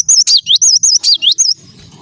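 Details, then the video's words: Cinereous tit singing briskly, a tight series of about eight piercing, undulating whistled notes lasting a second and a half, then only a faint low murmur. "Burung gelatik batu gacor"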